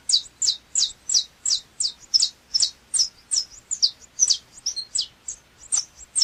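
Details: Saffron finch singing a long, rapid run of crisp, high, downward-sweeping chips, almost evenly spaced at nearly three a second, bright and loud throughout, with a quiet background.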